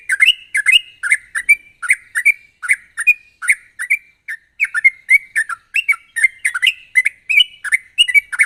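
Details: Sooty-headed bulbul singing vigorously in sharp rapid trills, a recording meant to lure other bulbuls into song. Steady stream of liquid, bubbly, up-and-down whistled notes, evenly paced for over eight seconds.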